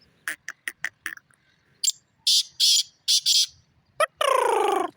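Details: Black francolin calling: a run of short sharp ticks followed by a grating phrase of four harsh, buzzy bursts. A descending, harmonic-rich squeal closes the sequence.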